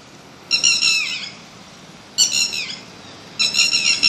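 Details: Three separate harsh squawking bursts from a bird, each under a second long with a downward slur at the end, spaced about a second and a half apart over a faint background hiss.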